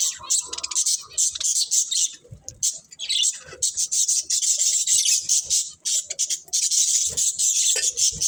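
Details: Pet budgies keep up an almost unbroken, high, hissy chatter of rapid squeaks and warbles, with occasional soft low knocks underneath.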